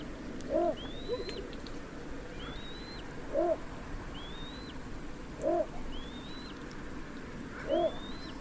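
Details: Repeated low, gruff barks from a little bittern, four in about eight seconds at a slightly uneven pace, with a separate high, upslurred whistle recurring in between against a hissing background.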